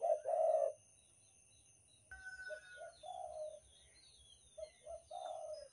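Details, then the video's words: Spotted dove (derkuku) lure call from Banten: an opening short-long low coo, then softer coo phrases of short notes leading into rolling coos, with small birds chirping high and thin in the background. "suara pikat derkuku banten super ampuh untuk pancingan"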